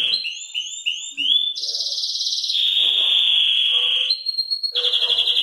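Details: Belgian canary of the salsa type singing early in the morning: a run of short rising whistled notes about four per second, then a buzzy high rattle, a long steady rolling trill and a final bright buzz.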